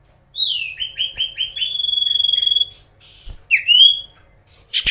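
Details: Singing common iora (cipoh) provoking rivals: a falling whistle flowing into repeated notes and a long even whistled tone with rapid pulsing, then a swooping rising whistle and a harsh burst.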